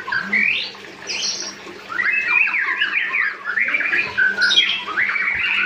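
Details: Young white-rumped shama, still learning to sing yet already singing steadily, gives a varied run of whistled, slurred phrases jumping between low and high notes, with scratchy notes, brief pauses, and a steady low hum underneath.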